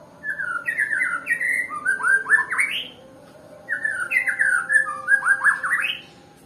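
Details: Nias white-rumped shama, said to be slow to sing. It delivers two bursts of rich whistled song, each a tumbling run of rapid notes climbing upward. The bursts are separated by a second of quiet.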